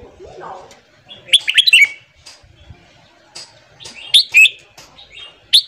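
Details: Morning song of a red-whiskered bulbul, used to fire up newly caught birds: clear, quick phrases of sharp whistled notes, each rising and falling, given in short clusters with quiet gaps between.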